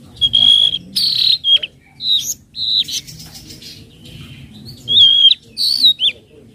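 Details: Trotol-style lure call of the tledekan laut flowerpecker, used to train untamed birds: loud, high, piercing tsweet and zit notes repeated in quick bursts, some buzzy, with short silent gaps.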